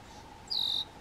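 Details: Red-winged blackbirds defending their nest right in front of a white-tailed deer: a single loud, thin, high whistle lasting about a third of a second, held almost level, over a steady low hum.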